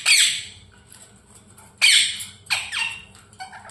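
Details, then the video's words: Pet parrot chirping: three loud, harsh squawks that sweep downward from very high pitch, spaced over a few seconds, followed by a softer chattering note, indoors with faint low background hum. "Parrot Chirping sounds"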